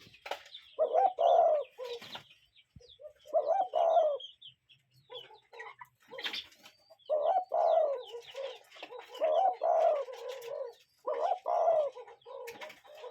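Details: Cuckoo in nature: bursts of low hooting notes in short clusters separated by pauses, with light chirping of other birds in the background.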